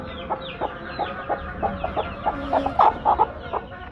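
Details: Two broody hens sitting together give a steady run of short, low clucks, several each second, with a few louder, sharper notes near the end.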